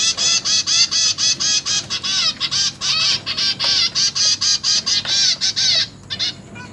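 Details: Parents feeding a brood of zebra finch chicks in a cage: intense harsh begging calls repeated about twice a second in a steady rhythmic series, then stopping abruptly near the end, followed by a few softer notes.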